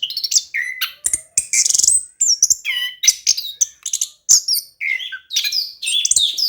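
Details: Orange-headed thrush delivering a rich, nonstop song to encourage reluctant birds: mixed scratchy bursts, clear high whistles and falling slurs in short, tightly packed phrases.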